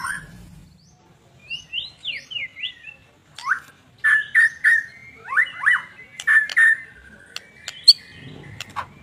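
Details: Actively singing white-rumped shama, offered to coax quiet shamas into song: quick rising whistles, then sharp clicks mixed with mid-pitched whistled notes in uneven bursts over several seconds.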